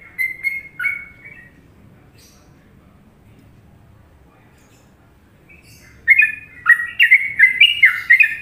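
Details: Sooty-headed bulbul singing a popular Trucukan-style tune from Indonesia: a short burst of fluty, falling whistled notes, a long quiet gap, then a livelier run of rich, bubbling whistles around mid pitch.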